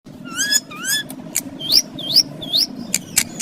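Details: A pet talking green ring-necked parakeet gives a quick run of high, squeaky, bending notes, some sliding down and others swooping up, with sharp clicks and a low background hum.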